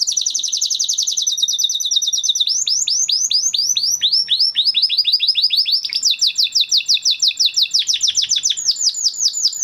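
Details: Continuous training song from a crested Spanish Timbrado canary of 2020 breeding: bright rolling trills that change speed and pitch, some sliding downward, with no pauses over nearly ten seconds.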